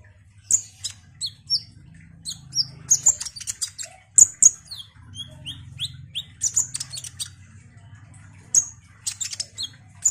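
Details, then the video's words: Olive-backed sunbird sings busily: scattered sharp high chips and short buzzy bursts, a mid-phrase series of falling slurred whistles, then more chips, over a low steady hum. "Kolibri Ninja GACOR ini DIJAMIN bikin KONIN lain ikut EMOSI Rajin Bunyi"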